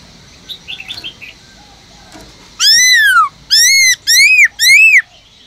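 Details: Caged Black-throated laughingthrush, 'forest voice' singing used to prompt other laughingthrushes to sing: faint scattered chirps at first, then four loud arched whistles in quick succession, the first long and sliding downward.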